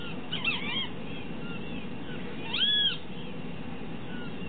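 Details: Great kiskadee calling twice, each a brief burst of loud, arching, ringing notes, set against constant low rushing noise.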